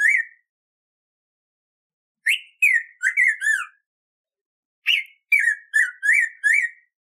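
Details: Black-throated grosbeak singing to teach captive birds: repeated phrases of five or six whistled notes, upslurs and downslurs mixed, separated by pauses of about two seconds, no other sounds.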